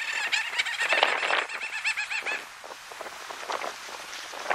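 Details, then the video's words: Little auks at Spitsbergen, Svalbard, Norway, in July 2016, giving rapid chattering, trilled calls in fast bursts, several birds overlapping, then fainter chatter. "Mergule nain (Alle a. alle) Little Auk"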